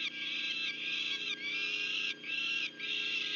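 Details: Female peregrine falcon bringing food to nestlings, Union County, New Jersey, 6 June 2023: sustained, grating, wailing cries in long bouts separated by short pauses.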